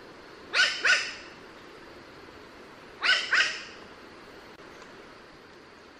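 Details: Raven of the Australia, Oceania and Southeast Asia region uttering two short pairs of rasping caws, the pairs about two and a half seconds apart, against steady background hiss.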